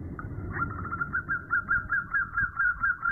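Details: A female zebra dove calls to a male at night with a quiet, steady series of short, slightly rising cooing notes, about two per second, over a noisy low background hum.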